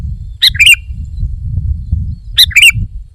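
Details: Two quick bubbly phrases from a sooty-headed bulbul, a lively singer, about two seconds apart, each a clipped note then a rolling bright warble, against faint low background noise.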